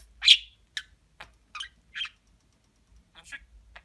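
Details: Indoor pet budgerigar giving a series of short, separate high-pitched chirps and chattering notes, about seven bursts spread over a few seconds with silence between them.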